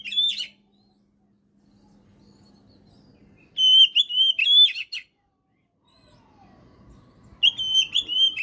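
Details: Oriental magpie-robin (kacer) in lively 'gacor' singing, used as a training and trigger recording for birds that have gone quiet. Three bursts of sharp, high whistled phrases with slurred notes, separated by pauses of faint background murmur.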